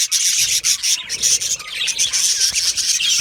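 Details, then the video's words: An aviary flock of yellow male budgerigars gives an unbroken wash of raspy, buzzing chatter and high twittering notes. "Beautiful Yellow Male Budgies Birds Chirping sounds"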